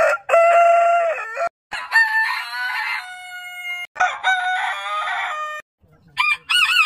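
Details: Rooster crowing, one of many heritage chicken breeds in a compilation: loud harmonic crows in abrupt back-to-back cuts, each held steady then ending sharply, and a final higher, wavering crow after a brief quiet gap.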